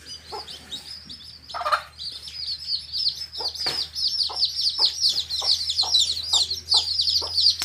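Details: A hen's baby chicks, coloured, in a field: a steady chorus of piercing high, downward-curving peeps, punctuated by short low clucks every half second or so, plus one louder scuffling sound early on.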